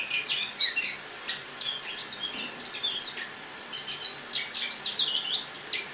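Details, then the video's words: Eurasian blackcap kept in a cage, autumn singing on an October 2017 morning indoors; busy stream of scratchy high twitters, then a short lull before a few louder rising whistled phrases. "Осеннее пение славки-черноголовки (Sylvia atricapilla)"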